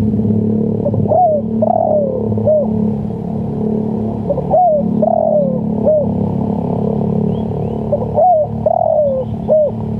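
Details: Spotted dove calling, kept as a lure and training sound for birds: three repeated cooing phrases, short note then a longer falling coo and a brief final note, with constant low engine-like rumble behind.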